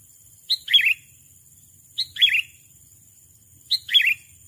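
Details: Sooty-headed bulbul calling to lure a rival: three short bright phrases, each a quick high note followed by a warbled, slurred flourish, repeated about every one and a half seconds over a quiet background.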